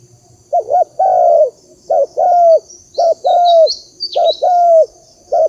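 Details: Spotted dove calling, a recording used as a lure to excite decoy birds for trapping: low, mellow coos in repeated phrases, a quick double note followed by a longer drawn-out croo, with faint high chirps of other birds above.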